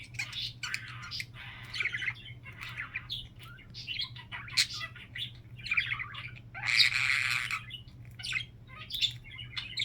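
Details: Kept budgerigars chattering at home: dense, scratchy warble of quick chirps and buzzy squeaks, with a louder harsh rasp partway through and a faint steady hum behind.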